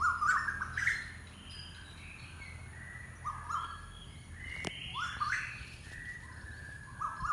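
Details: Unidentified bird gives a string of short whistled notes, each stepping or sliding upward, some with a slight warble, spaced irregularly across several seconds in a calm outdoor setting.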